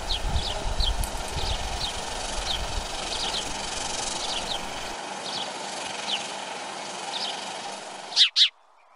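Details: House sparrow: faint, scattered chirps under steady rushing hiss, then two loud, sharp chirps in quick succession once the noise drops away.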